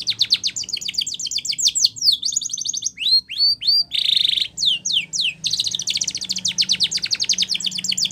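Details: Spanish Timbrado canary delivering a powerful training song of continuous rapid metallic trills, a few rising whistled sweeps and a dense buzzy roll in the middle.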